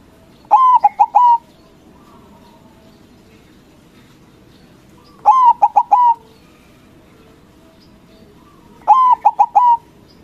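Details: Local white zebra dove in loud song to provoke rivals into answering. Three separate phrases, about four seconds apart. Each is a quick burst of short, stuttering coos ending in a drawn-out note, with a faint hiss between.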